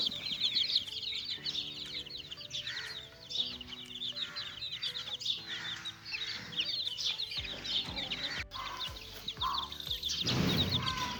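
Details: Little chicks playing together, a flock giving dense, high, rapid peeps that overlap constantly, with steady background music and a louder low rumbling thud near the end.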